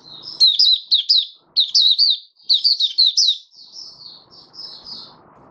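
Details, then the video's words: Oriental white-eye performing 'buka sing' on 20 January 2022, fifth day after monthly deworming: clustered runs of high, looping chirps in quick succession, trailing into softer, thinner notes with faint background noise. "Mata Puteh Raja Video 1 buka sing"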